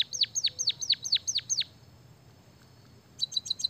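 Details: White-headed munia (emprit kaji), singing actively with canary-song mimicry, gives six high downward-sweeping whistled notes in quick succession, then a pause and a short burst of rapid, high, even chirps.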